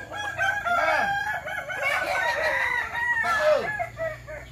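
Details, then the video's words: Kukuak Balenggek rooster crowing at a practice crowing contest in Sawah Lunto; several overlapping harmonic crows with sliding, falling notes, the crowing running through most of the clip with a low hum underneath. "Latber Ayam Kukuak Balenggek di Sawah Lunto"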